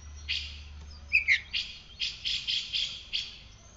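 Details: Caged oriental magpie-robin in full voice after its morning sun and dew routine, giving harsh, scratchy buzzes repeated about every quarter second, with one brief twittering whistle, over a low background hum.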